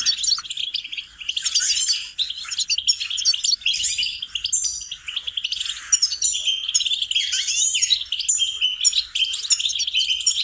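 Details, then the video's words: Goldfinch song used for training songbirds: a dense, continuous run of fast twittering, chirps and buzzy trills, high and bright, with varied notes tumbling over one another without pause. "Training and cultivating melodies singing lessons for goldfinches"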